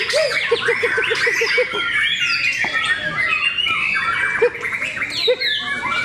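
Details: A crowded chorus of contest white-rumped shamas at Cikeas: varied whistles and rattling chatter over a short series of repeated lower hooting notes and occasional human voices.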